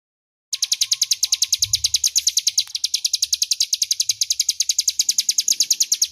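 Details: Crescent-chested warbler in loud, clear ngebren-style song, used as master audio for training magpie-robins: after half a second of silence, a rapid even series of sharp high chips at about three per second runs to the end. Faint low rumble beneath.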